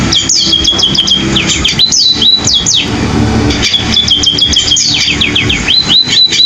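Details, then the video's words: Munia, known locally as pipit or emprit, delivering a canary-like song of fast repeated high whistles, downslurred sweeps and buzzy trills in bursts, with a steady low hum beneath. "burung pipit rasa kenari"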